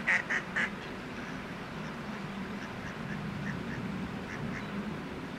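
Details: Wild mallards on the Naka River, Japan, during violent mating in June 2016: three sharp nasal quacks open the clip, then fainter quacks continue every half second or so beneath loud steady river rush.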